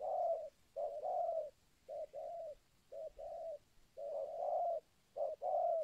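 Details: Local-type spotted dove giving its 'kuk 2' call, used as a lure for wild spotted doves: mellow, hollow coos in paired phrases, a short note followed by a longer, slightly rising one, repeated about once a second.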